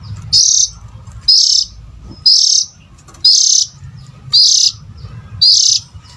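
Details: Call of an oriental magpie-robin, used as a lure for adult birds: six harsh, rasping high bursts with a brief upslurred whistle at the start, evenly spaced about a second apart, low hum beneath.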